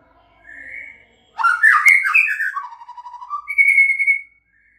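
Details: White-rumped shama song: a short faint whistle, then a loud burst of rich warbled and slurred notes falling from high to mid pitch, ending in a sustained high clear whistle.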